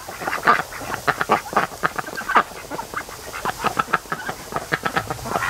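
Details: Domestic ducks resting and sleeping in the afternoon sun at the mouth of a creek on a lake, giving short repeated quacks and chatter, several birds calling in quick bursts.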